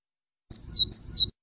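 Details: Two pairs of clear whistled European goldfinch notes, each a long high note dropping to a shorter lower one, over a faint low rumble.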